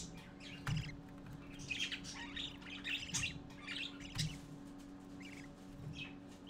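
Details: Budgerigar chicks gather to see their father at 11:45 AM on 12-4-14, chattering in a busy mix of short, scratchy chirps and squawks, several birds overlapping, over a steady low hum and occasional thumps.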